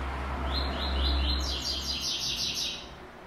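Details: White-throated seedeater singing the classic tuí tuí zel zel song with third note: a run of clear, evenly spaced whistled slurs, then faster, higher buzzy repeated notes, over a steady low hum.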